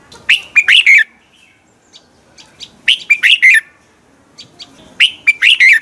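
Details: Morning song of a red-whiskered bulbul, played to train and stimulate other bulbuls to sing: three lively phrases of quick rising and falling whistles, each about a second long, against faint background noise.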